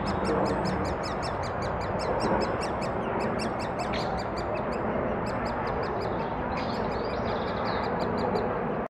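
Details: Great spotted woodpeckers at Thurrock woods on 20 May 2014, feeding their chicks, give a steady, rapid chatter of high, buzzy notes, several each second, over a constant low rumble of wind or background noise.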